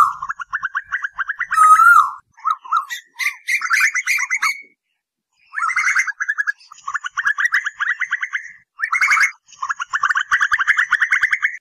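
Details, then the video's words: Asian koel calls for luring at night: long bursts of quick repeated notes, rising and falling in pitch, broken by short silences. "Tiếng Tu Hú Đánh Đêm 2024 ( File Hú 77 )"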